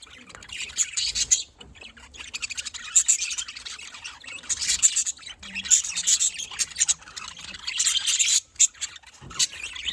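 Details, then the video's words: Budgerigars warbling in the afternoon in Larkana, Sindh: continuous rasping, high chirps and squawky notes swelling in waves, with brief pauses between bursts. "budgie bird and beauty || nice afternoon bird"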